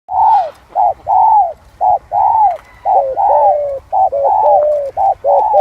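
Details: Spotted dove cooing in the 'giọng son' voice style: paired short and long mellow coos, each long note gently falling, repeated steadily about once a second over a low background hum.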